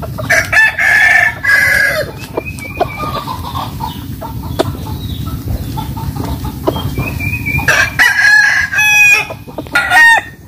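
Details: Roosters crowing in the morning at a rural home in the Mekong Delta of Vietnam: several long drawn-out crows with strained, wavering tones, overlapping from different birds, plus sharp clucks and a steady low background hum.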